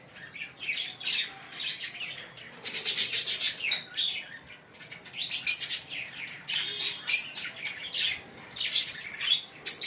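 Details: A green Fischer's lovebird pair singing and chirping loudly: dense, harsh, high chatter, with a buzzy rapid stretch early on, then sharp, piercing chirps and squeaks, almost continuous.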